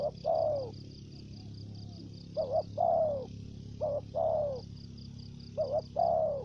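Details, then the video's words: Lure spotted dove voicing thổ dế, dập and mai rừng styles. Four phrases of a quick two-note stutter, each ending in a smooth falling coo, spaced by short pauses, with a beaded high insect-like trill above. "Terkukur Mồi giọng thổ dế, kèm dập, giọng mai rừng"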